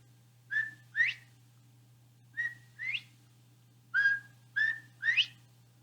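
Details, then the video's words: A male Northern Bobwhite in Florida, whistle-calling in the breeding season, gives its clear two-part whistle three times, a level note then a sharply rising one, about every two seconds, over a low steady hum. "one of the ways that we use whistle calls in quail management is to gauge what our breeding abundance is"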